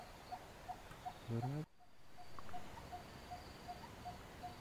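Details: A wild coppersmith barbet, recorded in the morning, gives a steady run of short, hollow 'tuk' notes, about two or three a second, with a brief burst of human speech early on.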